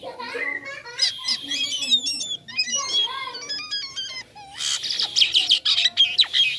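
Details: Jalak kapas starling in full song, its sound described as toy-like: a dense, fast run of varied whistles, stepped high notes, chirps and rattling bursts, with short pauses and low murmuring in the background.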